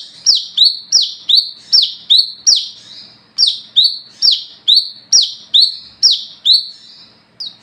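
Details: Olive-backed sunbird singing gacor ngalas ngeplong at night, a lure calling other sunbirds: insistent shrill downslurred notes repeated quickly and evenly, a short gap, then a final note.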